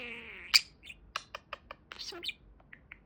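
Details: Pet budgerigar chattering indoors: a long, level whistled note, then a run of quick scratchy clicks and short chirps, with soft room hum underneath.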